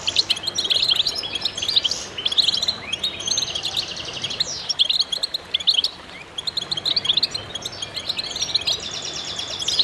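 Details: Many goldfinches in concert fill the air with fast, tinkling twitters and sharp chirps layered over one another, briefly thinning before the busy chorus resumes.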